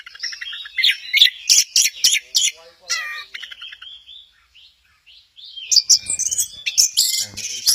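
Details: Orange-headed thrush singing at Kesamben, bursts of harsh chattering and varied whistled notes, a quieter middle with soft warbles, then renewed rapid high notes.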